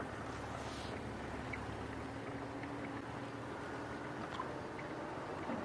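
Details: Continuous broadband engine and road noise from a safari vehicle on an evening drive, even and unbroken throughout.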